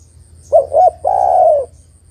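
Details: A female spotted dove calls for a male, a recording meant for luring birds. One full cooing phrase of two brief low coos and then a sustained mellow coo, over a low steady hum.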